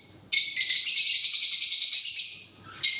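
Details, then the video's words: Parrot giving a loud, harsh, high screech that holds steady for about two seconds before fading, then starts again abruptly. "Parrots original sound"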